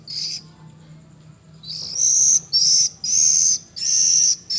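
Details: Oriental magpie-robin fledgling, three weeks old: a brief high note, a pause, then a run of four drawn-out, high, slightly buzzy whistled notes about half a second each, closely repeated.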